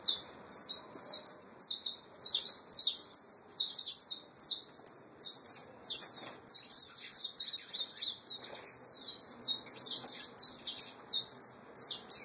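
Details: Nestling saffron finches, pure Peruvian type, in captivity: a steady stream of very high, scratchy chirps, pulsing about three times a second without pause throughout.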